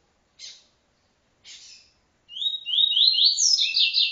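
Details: TuiTui encarte song of a double-collared seedeater: two short rasping chips, then a long sweet phrase of quickly repeated, upward-stepping buzzy notes climbing to high slurred whistles.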